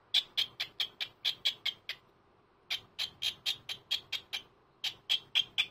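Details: Aged pet cockatiel chirping on a Sunday morning: two long, rapid trains of short, bright, sharp notes, each roughly a fifth of a second apart, with a short gap between them.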